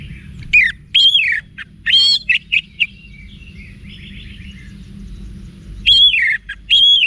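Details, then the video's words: Orange-headed thrush song of varied whistled slurs and short notes in clusters. A soft, buzzy twitter fills the middle, then loud rising whistles return at the end. "ANIS MERAH Manapun Bakal Nyaut Berani Untuk Figther Saat Didengarkan Kicauan Wiksar Ini"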